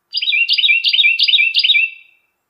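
A Carolina wren sings a loud, rolling phrase of slurred, dropping whistles, repeated five times in quick succession with no other sounds.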